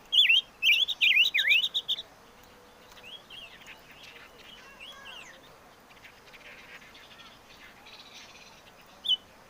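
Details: Five-coloured bird (chim ngũ sắc) delivering a fast run of wavy, dipping whistles for about two seconds, then mostly quiet background with faint scattered notes and one last short whistle near the end.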